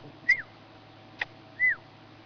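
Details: Black-backed Puffback, a lone bird on an afternoon drive in February, giving its distinctive call: two short clear whistles rising then dropping, split by a sharp click, over a quiet hum; Black-backed Puffback.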